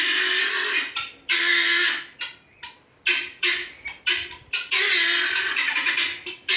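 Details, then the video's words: Harsh, grating guineafowl calls in a series of loud bursts of varying length, some long rattling runs and some short clipped squawks, with brief quiet gaps. "Guinea fowl sounds"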